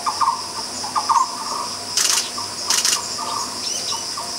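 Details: A Black-browed Barbet singing at Bukit Tinggi, Malaysia: hollow, low notes in short rolling groups, repeating roughly every second, over a steady high insect hum with two loud rasping bursts.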